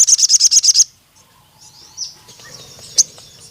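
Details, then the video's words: Crimson sunbird giving a brief, very high, evenly pulsed trill of about seven notes, followed by near silence with a few faint sharp calls. "BURUNG SOGON MANAPUN CEPAT GACOR DAN NEMBAK PANJANG"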